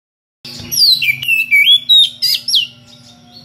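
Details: Kept Oriental magpie-robin in ngeplong style, calling to challenge a rival with unusual varied notes: a rapid run of high whistled slurs and sharp chips, rising and falling, over a low steady hum.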